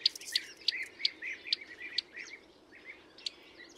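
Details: Bearded reedling filmed from a birdwatching hide in Emmen, Netherlands, giving bright metallic high-pitched clicks about every half second, each with a lower twangy echo note, fading out after two and a half seconds.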